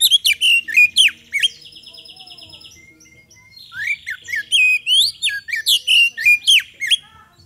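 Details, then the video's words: Oriental magpie-robin (kacer) in full song, used as a lure to prompt other birds to respond: loud varied whistled and slurred phrases, a steady buzzy trill in the middle, then rapid sharp rising notes repeated about four per second. "PANCINGAN KACER GACOR AGAR CEPAT RESPON"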